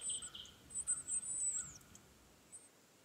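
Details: Baby northern cardinals at the nest while being fed, with a run of shrill, high-pitched squeaks in quick succession early on that fade toward the end, alongside quiet lower chirps.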